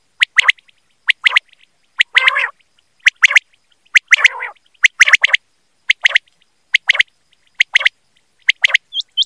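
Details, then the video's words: Recording for quail hunting of a quail calling: clusters of two or three sharp, clipped notes repeated about once a second, broken by two rougher, grating bursts, over a silent background. "BATAIR KI AWAZ || QUAIL CALLING"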